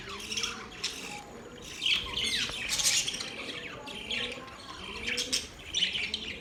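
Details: Budgerigar chatter at moderate volume: mixed squawks, short whistled slides and buzzy chirps run together, with a faint low hum beneath.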